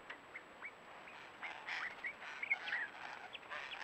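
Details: Several spiny-cheeked honeyeaters in the Mallee, present in large numbers; faint, scattered slurred and rising whistled notes from multiple birds overlap throughout, over a steady background hiss.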